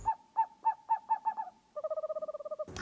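An owl gives about seven hollow, evenly spaced hoots, roughly four a second, then breaks into a faster, lower run of quick pulsed notes. A brief noise burst closes.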